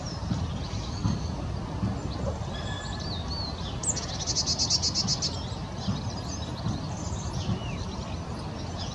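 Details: Song thrush singing at Hope Carr, Leigh, Greater Manchester, on 3 February 2019: high, varied phrases with a quick rattling burst of repeated notes midway, over steady low rumbling background noise.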